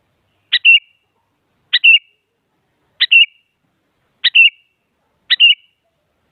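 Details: Sooty-headed bulbul calling actively to push rival bulbuls into singing: five short calls about every 1.2 seconds, each a sharp high note followed by a quick warbled whistle, over a clean, quiet background.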